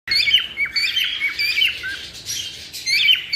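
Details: Cockatiels chirping to stimulate mating: dense, overlapping bright chirps and short whistled notes with sharp rising and falling slides, in continuous bursts with a brief quieter stretch near the middle.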